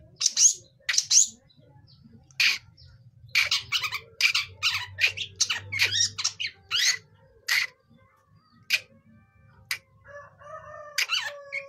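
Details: Juvenile long-tailed shrike practising its song with a string of harsh, rasping notes in uneven bursts, some closely bunched, ending in a softer, wavering tonal phrase.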